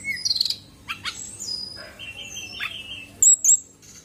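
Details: A female fulvous-chested jungle flycatcher gives sparse high notes: a quick stuttered burst, then drawn-out whistles that slide downward, ending with two sharp bright chips. Low background hum throughout.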